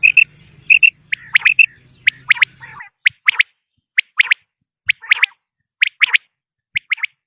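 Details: Common quail, a lure call for hunting: brisk three-note phrases repeated roughly every second, high and clipped, with a low hum early that then drops to silence.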